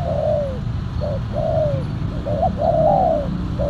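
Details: Spotted dove used for luring, silver-coloured with a black collar, delivering a run of mellow coos: long falling notes alternating with short hooked ones, roughly one phrase per second, over low rumble.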